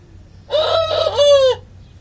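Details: Rooster crowing, one of two cockerels, a red one and a speckled one: a single harmonic crow of about one second, a short opening note, then a longer drawn-out syllable falling at the end, over faint low hum.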